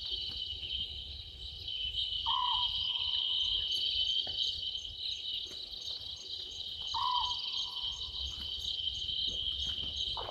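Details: Small owlet perched in a tree at a waterhole, Djuma Game Reserve, Sabi Sand Wildtuin, South Africa, past midnight on 11/12/2023, live camera. Two low purring notes come about five seconds apart beneath an unbroken, high cricket chorus.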